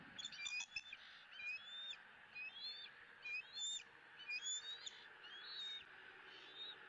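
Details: Eaglet E9, a young bald eagle at a southwest Florida nest, squealing during its second fish feeding of the day in April 2017; shrill, harmonic squeals repeated roughly every second, somewhat fainter and more irregular over a steady background hum.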